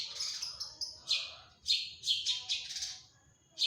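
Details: Long-tailed shrike, a hobby songbird said to sing persistently with mimicked fills, gives a short burst of rasping, buzzy chatter in several rapid notes, then falls quiet before one final harsh note.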